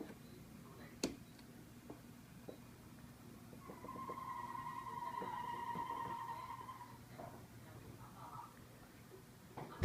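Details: Black kite giving a thin, drawn-out whistle lasting about three seconds, steady in pitch with a slight wavering trill, faint against low room hum and a few knocks.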